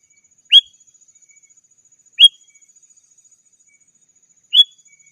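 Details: Sooty-headed bulbul calling to rivals, a lure for wild birds and tutor for caged ones: three single bright upslurred whistles, spaced about two seconds apart, on a quiet background.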